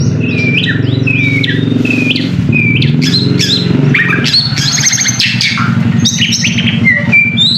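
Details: White-rumped shama song used as a lure to provoke another bird into singing: varied whistled phrases, rising and falling slurs, and rapid trills, over a steady low hum throughout.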